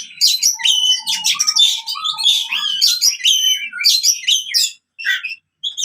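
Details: Fighting song of an oriental magpie-robin, played to coax silent birds back into singing: a fast, varied stream of scratchy chirps, trills and clear whistled slides, with a few soft lower notes early and brief gaps near the end.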